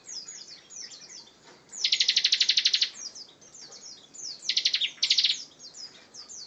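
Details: Bar-winged prinia in energetic song, one long pulsed buzzy trill followed by two shorter bursts, with thin high chirps and slurred notes between.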